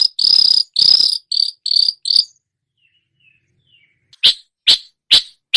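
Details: Long-tailed shrike imitating other birds: long, strident, buzzing trills at first, then a pause and four separate sharp, high notes about half a second apart.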